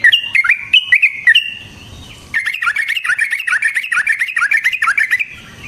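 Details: Yellow-vented bulbul lure song for making other bulbuls sing: a few loud, bubbly whistled notes, a quiet gap, then a dense rolling burst of rapid chattering notes lasting three seconds.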